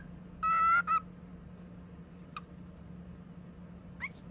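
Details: Male pet cockatiel chattering: an early nasal, harmonic call in two quick parts, then two faint brief chirps later, over a steady low hum.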